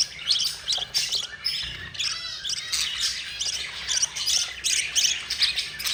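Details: Budgerigar chicks, four babies, begging while their yellow mother feeds them: scratchy chirps and rasping squawks tumbling over one another, with a brief soft thump near two seconds.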